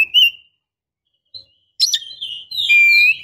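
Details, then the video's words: Female Oriental magpie-robin in breeding condition calling to a male: a clear whistled note, a short pause, then a burst of sharp chirps running into a long, slightly rising whistle with fine high twitters above. "Pancingan Suara KACER BETINA GACOR Birahi Mantap Untuk Memancing KACER JANTAN Agar Mau Nyaut BUNYI!!"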